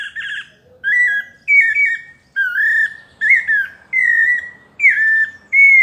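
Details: Pale-breasted thrush, paulista style melodious song: whistled notes that slide down or hold level, some with a fluttery edge, spaced by short pauses over faint background noise.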